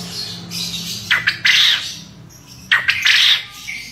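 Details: A male contest quail gives its prized ceketer call, two bursts of harsh, high, rattling chatter about one and a half seconds apart, over a faint low hum.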